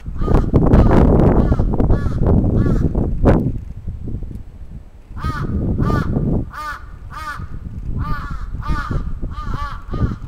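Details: During a crow attack in Atsubetsu Ward, Sapporo, on 27 June 2017, loud rustling and thumping come first. A quick run of hoarse, evenly repeated caws follows.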